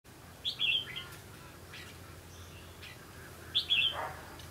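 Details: Red-whiskered bulbul in a trapping session, giving two brief bright warbled phrases about three seconds apart, each a quick rising-then-falling chirpy flourish, with faint low background rumble between.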